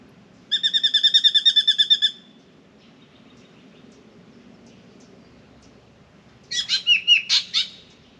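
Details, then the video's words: Spangled drongo in Australia shouting from a mango tree at a pied currawong it will not approach: about thirteen rapid, harsh, ringing notes in a steady burst, a long pause, then a shorter scratchy volley, over a low steady hum. "Spangled Drongo objects to presence of Pied Currawong"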